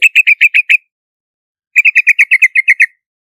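Yellow-vented Bulbul giving two quick bubbly runs of clear chirped notes, about six then eleven, fairly high and evenly paced. No other sounds.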